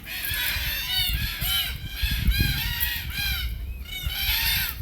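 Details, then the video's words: Red-tailed black cockatoos in Australia, feeding on beach almond (Terminalia catappa) seeds, give harsh, rolling, metallic calls, several overlapping in quick succession, over a low rumble of wind or traffic. "Red-tailed Black Cockatoo Call"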